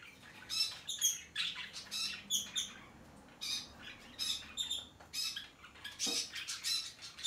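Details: Shrill, clipped squawks from hand-tame peach-faced lovebirds, recorded 21 March 2020, come in separate bursts of one to three notes with quieter pauses between them.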